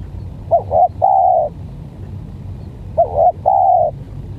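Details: Unusual-voiced spotted dove facing a stuttering pikat dove gives two phrases, each a quick broken double note followed by a smooth half-second coo, spaced about two and a half seconds apart over quiet low noise.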